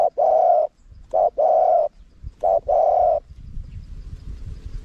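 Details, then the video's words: Wild-style spotted dove call in a small voice, for playback to lure wild doves. Three phrases of a short coo then a longer coo, then quiet with faint background noise. "เสียงนกเขาใหญ่ คารมป่า (เสียงเล็ก) มีขัด มีหนุน คูอ่าง ใช้สำหรับเปิดต่อ ยั่วนกป่าเข้าร่วมเร็ว"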